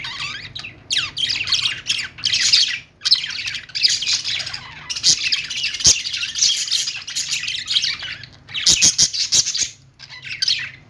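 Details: Budgerigars in the morning: dense, continuous chattering of chirps, squawks and warbling notes, mostly high-pitched, in bursts broken by short pauses near three and ten seconds, with a low steady hum underneath.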